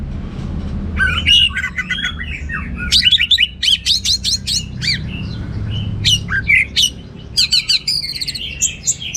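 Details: Orange-headed thrush (anis merah) singing energetically in teler style, rich in material: bursts of jumbled chirps, buzzy notes and quick high trills separated by brief pauses, with a steady low rumble beneath.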